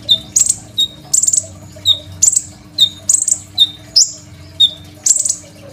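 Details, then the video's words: Crimson sunbird in full song, offered as master song for young birds and recorded by phone; piercing high notes come in separate bursts about every 0.7 seconds, each a quick sharp flick, with a steady low hum behind. "KOLIBRI NINJA GACOR FULL ISIAN SUPER MEWAH, 100% COCOK BUAT MASTERAN KONIN BAHAN"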